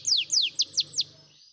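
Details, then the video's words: Canary training song, possibly Spanish Timbrado style: two longer high whistles sliding downward, then three quick, shorter down-slurred notes, about five notes in one second, with faint low background hum. "Your Canary Will Love The Song"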